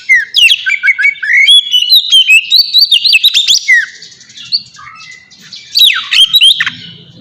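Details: Ngeplong song of a kacer (Oriental magpie-robin), played to train captive birds into steady singing: tumbling run of clear whistled notes, twangy slides and chattery phrases, dropping quieter midway, then loud downward-swooping whistles and a soft low hum near the end.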